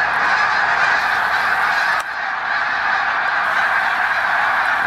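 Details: A huge flock of snow geese over the St-François River in Drummondville, Quebec, arriving in November 2012 near the Hemming Falls dam, recorded with a Canon PowerShot SX40 HS: massed honking, a steady roar of many voices with a brief dip midway.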